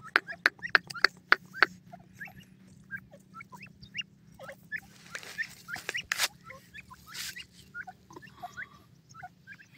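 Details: Grey francolin (teetar) opens with a quick run of loud, sharp notes, then shifts to softer, scattered chirps and short rising notes for the rest of the recording, over a low steady hum.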